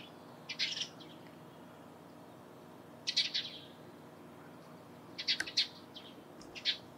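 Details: Eurasian tree sparrow calling in the morning: short bright chirps in clusters of two or three, with long quiet gaps of about two seconds between bursts over a faint, steady background hiss.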